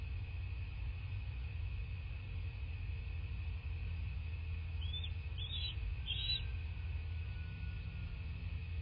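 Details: Bald eagle calling at its nest in southwest Florida, nest camera recording from 03/02/2024, 10:34 a.m. Three short, high, slurred piping notes in quick succession over constant low hum.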